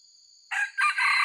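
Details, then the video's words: A white-legged red junglefowl gives a lure crow for trappers: a brief harsh syllable followed by a long, grating, sustained note that cuts off abruptly, with a high steady insect tone in the background. "MIKAT AYAM HUTAN ORI KAKI PUTIH"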